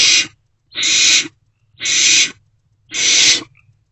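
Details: Nest-box barn owl chick at night, 16 March 2024, gulping down a delivered rodent; four long, broad hissing screeches spaced about a second apart, steady and evenly timed.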